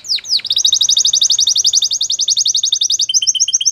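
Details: Canary delivering two sharp downswept notes, then a very fast, even, metallic trill of repeated high notes held for about three seconds.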